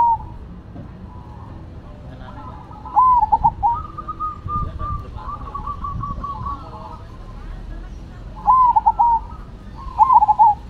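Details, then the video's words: Cemani and Silver zebra doves in full song: bursts of trilled, bubbling coos with stuttering endings near three, eight and a half and ten seconds, between them a fainter bird giving longer steady rolling coos. "Perkutut Cemani Gacor Vs Silver Gacor"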